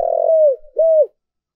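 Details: Spotted dove used as a decoy, giving an urgent calling coo to provoke wild doves: a buzzy start running into a smooth falling coo, then a second clear coo, in clean silence.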